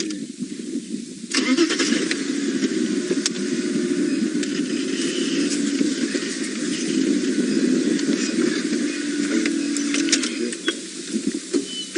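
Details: A vehicle engine starts up and runs steadily with outdoor rumble, and no animal calls stand out.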